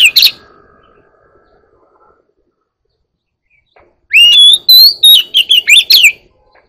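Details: Oriental magpie-robin, a one-year-old bird, singing: after a long silence, a burst of loud, clear whistled phrases with sliding, rising and falling notes and brief chattery bits, delivered in quick separate bursts.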